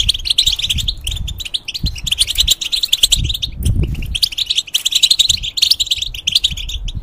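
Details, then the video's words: Caged European goldfinch, a bird used to teach song to young hybrids, delivering a fast jangling twitter of high notes, with low thumps and handling noise underneath through much of the recording. "The Talk And Sounds Of The Goldfinch"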